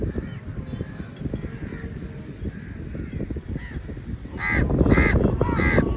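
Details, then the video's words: Feeding time for a large crow flock attacking food: mostly low thumping and rustling noise with faint distant caws, then three loud, harsh caws burst in near the end. "Crow Sounds Very Loudly"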